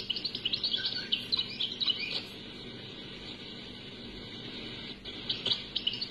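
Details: Unedited cassette recording of European goldfinch singing, Algeria: a fast run of bright twittering and tinkling notes for about two seconds, then quiet hiss, then another brief twittered burst near the end.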